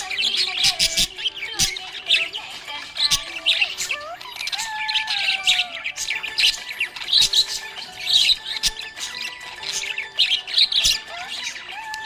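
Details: Budgerigar in a happy mood chattering nonstop for twelve seconds: scratchy warbles, sharp tweets and squawky notes over a soft musical backing.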